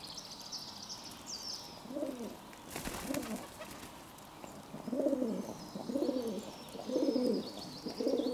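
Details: Pigeons cooing on 11 June 2022: low, throaty rolling coos swelling and fading in a run of six phrases, broken by a burst of broadband rustling or wing noise, with thin high whistles of other small birds behind.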